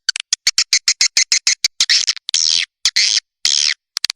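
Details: Swiftlet calling and roosting sound used by Indonesian swiftlet farmers to draw birds: sharp, buzzy high chirps in rapid irregular bursts, some drawn into longer rasping twitters.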